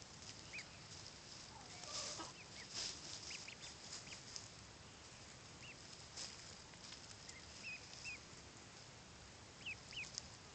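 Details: One-week-old Blue Swedish and Buff ducklings, out for the first time on a warm day of 81 degrees, give scattered short high peeps, some rising and falling, over steady background hiss and a few faint clicks.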